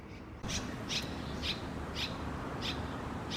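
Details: Red-rumped Swallow from a pair nesting at a house veranda: short, sharp chirps repeated about every half second at a steady pace, over a constant low hum.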